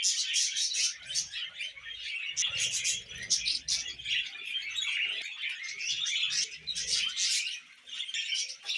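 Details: Pet budgies in steady loud chatter, bright chirps and grating warble notes tumbling together almost without break, faint low rustles underneath.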